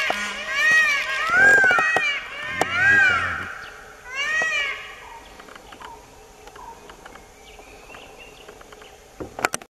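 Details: Indian peacock mating call: three loud, nasal, wailing calls over about five seconds, each rising then falling, followed by quieter background sounds and faint chirps.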